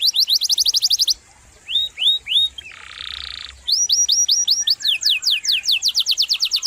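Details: Singing canary: quick high trill, a pause, three rising hooked whistles, a flat buzzy tone, then more slurred whistles leading into a rapid series of descending sweeps repeated several times per second.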